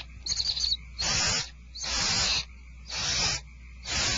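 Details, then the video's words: Barn owls at feeding time at Starr Ranch on 2/1/12. After a short scratchy start come four drawn-out, breathy hisses of almost half a second each, separated by brief pauses, with low hum behind. "Starr Ranch Barn Owls Dinner is served"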